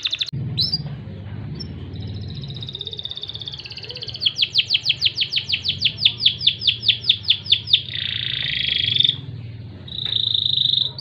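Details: Crested canary, kenari jambul, in loper song with cengkok gurih phrasing: brief notes, a rising whistle, then a fast rhythmic series of rapid pulsed notes, ending in buzzy trills and a steady high rattle.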